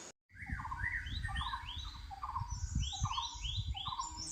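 Puff-throated babbler: clear whistled notes repeated about twice a second, with higher rising sweeps layered above, over a steady low rumble of wind or handling noise.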